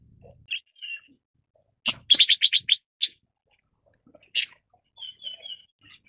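Red-billed Leiothrix calls: a quick burst of six or seven harsh, chattering notes, then brief high whistles, including a short run of three level whistled notes.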